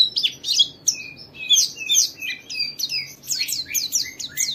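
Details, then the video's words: Lure song of a white-eye singing gacor in ngeriwik fashion, meant to set other white-eyes singing. Fast jumbled sharp chirps and downward-slurred whistles, pouring out steadily. "Suara burung Pleci ini Ampuh memicu semua Pleci cepat Buka Paruh dan gacor"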